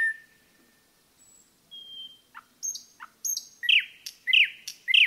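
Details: Common nightingale singing in a forest, with drawn pure whistles at different pitches, short high flicks, and then loud, sharp, repeated chopping phrases.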